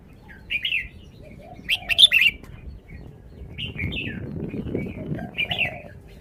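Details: Red-whiskered bulbul in a cage demonstrating its song phrasing: separate bright whistled phrases with a sharp clattering burst early on, lower soft notes between, and a faint rumbling background.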